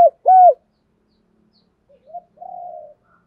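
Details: Spotted dove in the thổ đồng voice style, used to provoke rival males: two loud mellow coos, the second slurring downward, followed by faint, softer distant coos.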